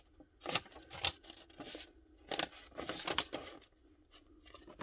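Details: Indoors in a small room, paper is cut and handled with short rustling, snipping bursts and brief pauses, and no animal voice is heard.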